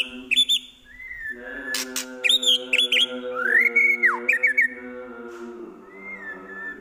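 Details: White-rumped shama singing mimicked phrases of prinia, kapas tembak and eagle: bright whistled notes and upslurred chirps in short bursts, over a steady low tonal hum.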